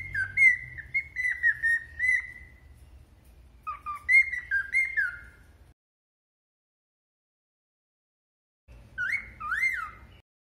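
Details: A cockatiel whistles a bright tune of rising and falling notes, mixed with the spoken name "Mônica", while also somewhat agitated with a cagemate.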